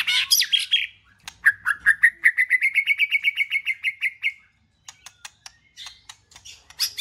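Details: White-rumped shama, recorded to trigger a pet shama's singing: a scratchy high burst, then a long rapid trill of about twenty repeated notes rising slightly in pitch, followed by sparse clicks and a final high flourish.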